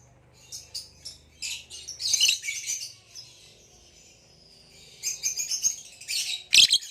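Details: Lovebirds, a male green hybrid Nyasa lovebird and a Lilianae (Nyasa) lovebird, kept as cage birds, chirping: bursts of high, scratchy chatter in short clusters with a quiet pause midway, then more rapid chirps and a loud sharp note near the end.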